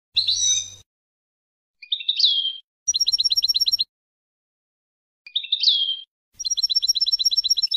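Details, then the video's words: European goldfinch song for teaching young birds, a young goldfinch and a mule, 2020: short bursts of high twittering, a slurred descending note, then fast metallic trills of evenly repeated notes, separated by silent pauses. "Ecolage Chardonneret Melodieux // Goldfinch Song to teach young people // أغنية الحسون لتعليم الشباب"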